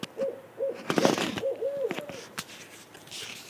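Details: An owl that regularly turns up outside a window gives short, soft hoots in an uneven series. Louder clattering and knocking bursts partly drown them out.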